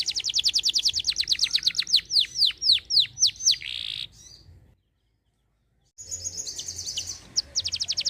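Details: Canary singing vigorously: a fast run of high, sharp notes, then a series of slower descending whistled slurs and a buzzy trill. A short silence follows before rapid high trilled notes resume.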